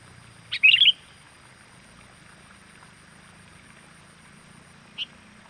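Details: Sooty-headed bulbul lure call for attracting wild birds: one bright warbled phrase, a short note then rapid chirps, followed by four seconds of near silence and a single faint clipped note at the end.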